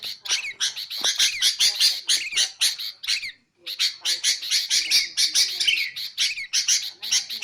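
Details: Sooty-headed bulbul used for luring and training: dense, buzzy chattering mixed with short bright slurred whistles, running continuously apart from one brief gap in the middle.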